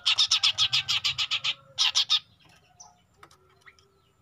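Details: Juvenile long-tailed shrike giving a fast burst of about a dozen gritty, buzzy notes. After a brief gap come three more, then quiet with faint scattered chirps.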